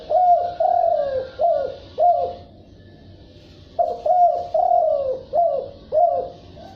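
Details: Cu gáy, the spotted dove, cooing in the gáy gù and thúc bổi manner. Two runs of four to five mellow, falling coos are broken by a silent gap of about a second. A soft high background hiss runs throughout.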